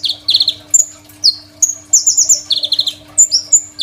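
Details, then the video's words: Crimson sunbird song, a master recording for training other songbirds, recorded on an Oppo A37f phone: lively, high-pitched rapid trills alternating with clear whistled notes that slide downward, packed densely together. "KOLIBRI NINJA GACOR FULL ISIAN SUPER MEWAH, 100% COCOK BUAT MASTERAN KONIN BAHAN"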